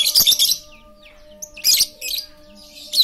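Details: Lure chatter from a very talkative lovebird, meant to prompt silent lovebirds to sing: dense, harsh, shrill bursts of rapid chattering, three main volleys with brief pauses, a faint steady hum beneath.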